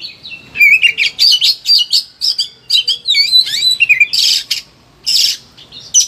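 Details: Oriental magpie-robin kept in a cage, singing with high excitement as a master track for training others: quick whistled phrases and twisting notes mixed with harsh scratchy bursts toward the end.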